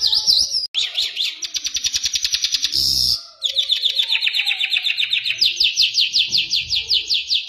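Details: Mashadi lark, Iranian jal, in vigorous song: long rapid trills of rising chirps, broken by a short noisy burst, then resuming with a faster buzzy series of upswept notes.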